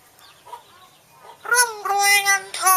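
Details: A talking common hill myna speaks Thai New Year blessings for wealth and long life in a strong, voice-like tone, with two drawn-out words at a fairly high pitch after some soft warbling.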